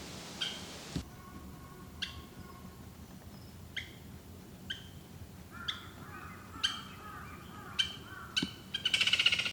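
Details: Japanese green woodpecker, a bird found only in Japan, giving sharp, abrupt calls about once a second that grow louder and closer together toward the end, over a faint low rumble.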